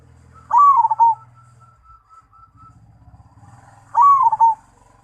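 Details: Zebra dove of the Mojopahit line singing two identical phrases about three seconds apart, each a rising coo followed by quick trembling notes. A faint low hum runs underneath.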